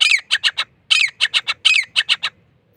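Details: Grey francolin gives three loud, harsh phrases, each a drawn-out squawk followed by three quick clipped notes, repeated roughly every three-quarters of a second.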